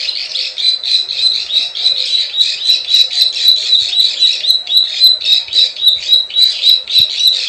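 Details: Klik klik ciwah lure calls of plain prinia for drawing in wild birds: rapid, steady run of sharp buzzy chips, roughly four per second, forming a continuous pulsing chatter.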